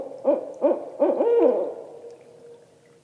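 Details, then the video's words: A barred owl calls in a rising series, three quick arched hoots leading into a longer sliding note that fades away. "Owl, Barred Ascending"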